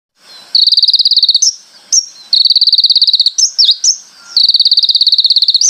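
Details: Konin in full song with imitated phrases and rapid shot-like bursts: high, dry pulsed trills repeated in long runs, broken by short sharp chirps and a brief downslurred note.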